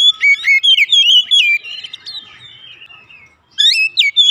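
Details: Oriental magpie-robin singing as a lure for home-kept birds: a rapid series of bright, sliding whistles, a quieter drawn-out stretch, then a renewed burst of rising whistled phrases.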